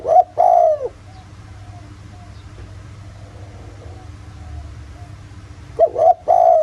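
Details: Spotted dove in the rustic 'giọng thổ' cooing style, used as a lure to make other doves call. Two short bursts of low, mellow cooing come at the start and end, with steady background noise between.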